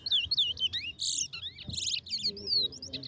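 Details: Towa towa competing West Coast versus West Bank: rapid wavering whistles punctuated by two short buzzy bursts, then clear slurred whistles, while a judge counts "16, 17, 18".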